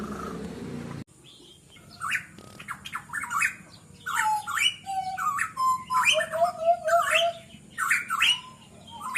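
A pitohui gives harsh, squawky notes mixed with low, clear sliding whistles, about one phrase a second, after a brief burst of noise.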